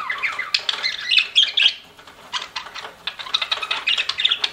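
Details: Pet budgerigars indoors: softer, scattered chirps and squeaky warbled notes, with a quick run of rapid ticking clicks in the second half.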